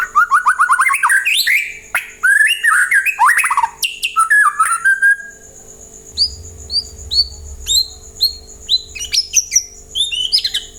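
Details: White-rumped shama song used to prompt other birds to reply and sing: rich varied whistled phrases, rising and falling notes, then a run of short sharp upward-sweeping whistles repeated in quick series.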